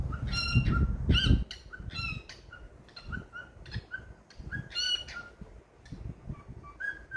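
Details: A happy pet cockatiel singing: harsh, harmonic squawks alternate with short whistled notes, with a burst of low rumbling noise in the first second and a brief whistle near the end.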